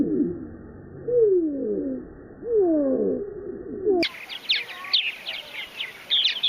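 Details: Purple Martins at one of the largest backyard colonies in the U.S., in Finger, Tennessee; the first part is slowed down into low, falling swoops, then switches abruptly to rapid, high, gurgling chirps at natural speed.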